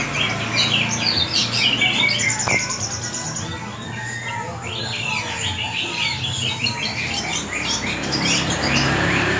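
A long-tailed shrike pours out a fast, varied medley of high chirps, squeaks and rattling trills with little pause, over a low steady hum.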